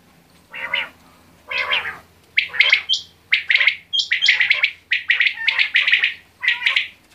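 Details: Quail calls that begin as a few lower, nasal notes and then build into a steady run of sharp, chirpy bursts mixed with thin, high pips.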